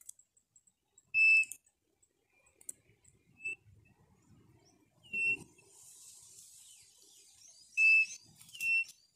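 Quail giving four short, shrill whistled notes spaced a few seconds apart, with faint chirps and a brief hiss in between.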